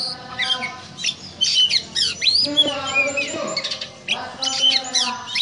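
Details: ['Kacer, the oriental magpie-robin, in ngobra song said to resemble a snake: sharp, high, slurred whistles and chattering bursts, interleaved with lower harmonic tones.']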